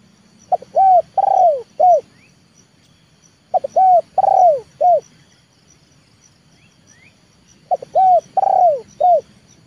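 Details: Leopard-type spotted dove trained as a lure for wild doves gives three cooing phrases about every three and a half seconds. Each has short coos around a long falling one. Faint high chirps of other birds are heard between them.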